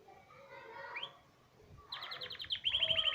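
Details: Hipi-type canary singing: a faint, muddled opening, then from midway a run of rapid, bright, evenly repeated high notes that grows louder and ends in a quick ringing trill.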